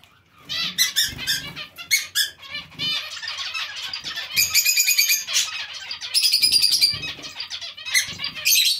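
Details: Zebra finch colony, kept together with other small finches: dense overlapping nasal, harmonic-rich beeps and chattering tweets from many birds, bursts packed closely with brief gaps, some wing flutter.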